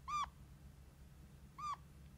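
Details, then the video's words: Red-crowned parakeet kept as a pet parrot, with two brief plaintive squeaks about one and a half seconds apart, thin and slightly nasal, like a small kitten's mew, over faint indoor hum. "Как разговаривает какарик"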